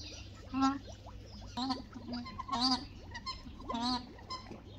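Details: New Zealand scaup, one of a pair, gives short, nasal, slurred notes about once a second, some bending up then down, over a steady low background hum.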